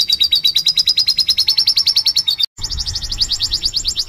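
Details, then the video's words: Domestic canary in energetic 'gacor' singing, played as a lure for other canaries: a very rapid, high trill that rises slightly. After a short break a louder, higher rattling trill follows, with some low rumble underneath. "Kenari Gacor Nembak || Pancingan Kenari"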